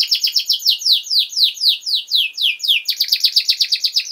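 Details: Canary master song for training young birds, steady and loud: a run of rhythmic sweeping downslurred notes about three per second, then accelerating into a rapid bright chattering trill.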